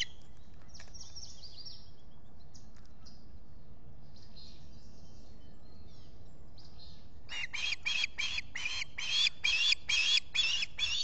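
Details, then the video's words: Osprey on a Finger Lakes nest in July: faint, scattered high chips in the first seconds, then a loud, rapid, regular series of harsh, ringing squawks building over the final four seconds. "Olan squawking"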